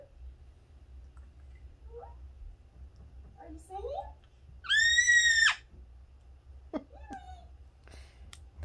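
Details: Pet parrot said to imitate other birds. It gives short scattered chirps and one loud, harsh, ringing screech lasting under a second. A person talks quietly throughout, and there is a low indoor hum.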